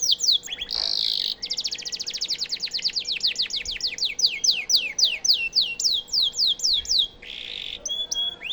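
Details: Canary song offered as a model for White-rumped shamas. A brief buzzy roll gives way to a long series of evenly repeated downslurred whistles, several per second, ending in a harsh burst and soft notes.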